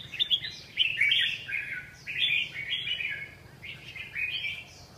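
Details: Red-whiskered bulbul song: four lively chirping, whistled phrases, each slurring up and down and spaced roughly a second apart, clear against faint low background noise.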